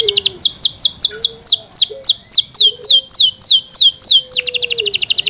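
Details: Yorkshire canary kept in captivity, its loud song made of repeated downward-sweeping whistled notes at about three per second, breaking into a quick high rolling trill at the end; a faint low tone drifts beneath.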